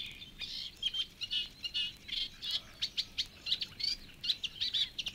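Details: Song of a Reed Warbler in the Matsalu reed beds. Fast, jerky chatter of grating and clicking notes, with short phrases repeated two or three times before changing, delivered at an uneven but lively pace.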